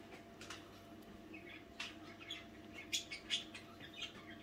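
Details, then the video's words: Budgerigars chatter softly at night, with short high chirps and scratchy notes coming in irregular bursts over a low steady hum. "nächtliche Besprechung"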